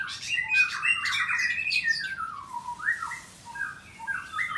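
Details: White-rumped shama kept in a breeding aviary in Bogor, Indonesia, singing in the morning: rich slurred whistles and rapid chattering phrases, the notes sliding downward toward the end, over a faint low hum.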